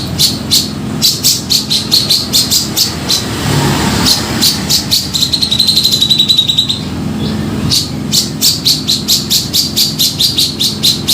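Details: Grey-cheeked bulbul (cucak jenggot) calling as a trapping lure: long runs of rapid, scratchy high notes, a brief sustained trill in the middle, then more quick repeated bursts, all over a low motor-like hum.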